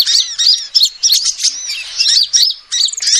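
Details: Bright, rapid high chirps from a female sunbird, about three notes a second, in uneven clusters with curved tones; the call serves as a lure for catching birds.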